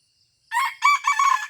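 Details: Red junglefowl crowing in Aceh at Taman Rusa during luring: a brief, coarse crow of three rough bursts packed into about one second, with the final burst longest, and only silence around it.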